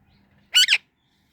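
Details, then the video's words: Indian ringneck parrot giving one short, loud, harsh squawk in two quick joined parts, each rising then dropping, with a brief dip between, in an otherwise quiet setting. "Indian Ringneck Parrot Chirping Sounds"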